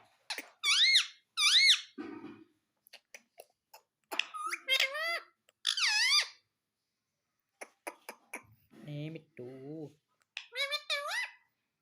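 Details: Pet parrot talking indoors: clusters of high, squeaky, wavering syllables with gaps between phrases, a low human voice speaking midway, and light clicks.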